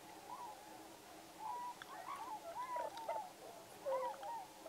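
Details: Several tundra swans at Pocosin Lakes National Wildlife Refuge, north-eastern North Carolina, in November 2017, give mellow, hooting whoops that overlap and rise and fall, several birds calling at once, with no other sounds standing out.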